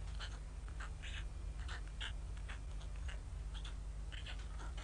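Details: White stork nestlings at Ustroń, Poland, hungry and waiting for their absent mother during poor May 2019 weather; rapid rasping, cat-like squeals in quick irregular bursts above a constant low rumble.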